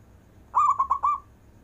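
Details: Local zebra dove in long-breath cooing style for calling lazy doves: one brief phrase of four quick, slurred mid-pitched coos running together.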